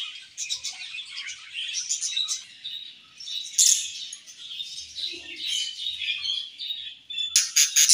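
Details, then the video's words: Budgerigar colony chatter while eating: constant high twittering with rising and falling loudness, ending in a string of sharp, loud chirps after a brief pause. "Budgies Colony Chirping Sounds"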